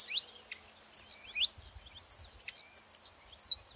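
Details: Saffron finch voice used to spur other canaries into song: busy, high-pitched chirps and short sliding notes, irregularly spaced and quite bright, over a quiet background with faint low knocks.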